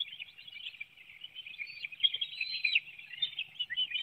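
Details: At a bald eagle nest in Hanover, Pennsylvania, on a June 2019 morning, an adult serves fish to its young; soft steady twittering grows into louder squeaky, slurred chirps near the end, heard through a nest camera.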